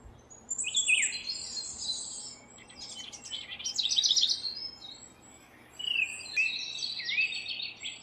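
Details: House wren, busy building its nest, sings a rich gurgling song of fast, jumbled high twitters and trills. Bubbling phrases come in surges separated by brief lulls, over a faint steady background hum.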